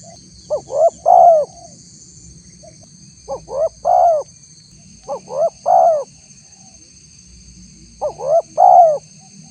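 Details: Four mellow cooing phrases of a spotted dove, used as a lure for wild doves. Each phrase has a couple of short rising notes ending in a longer, falling coo. The phrases come at uneven gaps over a steady high hum.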